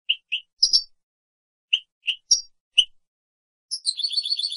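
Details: European goldfinch, 2017 training recording for captive birds: separate short chirps and higher sharp notes spaced irregularly, then a rapid jingling twitter that builds at the end.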